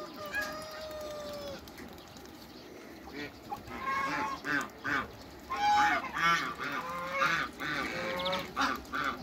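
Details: Hybrid Cayuga and Muscovy ducks meeting in a backyard. One opens with a long drawn honk, then several birds join with loud, repeated nasal honks and quacks at irregular intervals, overlapping at times.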